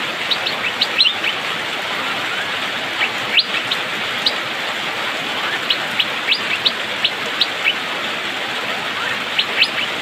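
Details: Rainy-season singing from an Asian fairy-bluebird (cucak biru/pikpik), lively and quick: brief bright flicked notes repeated at uneven intervals throughout, partly softened by a continuous rain hiss.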